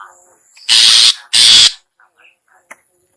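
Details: A long-tailed shrike (cendet) lure call: two loud, harsh, buzzy rasps back to back, followed by faint scattered ticks and quiet.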